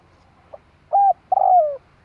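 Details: Spotted dove luring call meant to draw in other doves: a faint short note, then a clear steady coo and a longer drawn-out coo sliding gently downward, with a new note starting at the end.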